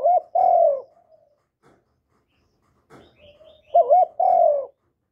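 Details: Spotted dove calling to lure other doves. A loud two-part coo opens, followed by a long quiet pause with faint soft sounds. It ends with a wavering double note and a drawn-out, gently falling coo.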